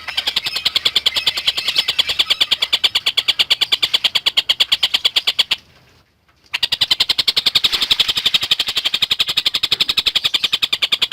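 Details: Collared kingfisher in vigorous song as a lovebird tutor: a dense chattering train of harsh high notes, over two per second, with one second of silence, then the same rapid series continues.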